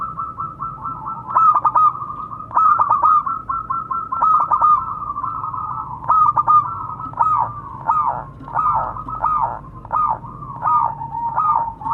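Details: Lively local zebra dove calling to its fellows, a recording meant for luring and training birds: long series of clipped, stuttering coos in bursts, growing into rapid arched notes toward the end.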